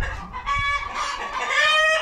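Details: Young hens, not yet laying at about 22 weeks, squabble noisily in a dark, lamp-lit coop in winter after sheltering from rain, trading harsh, drawn-out squawks and clucks in an agitated row.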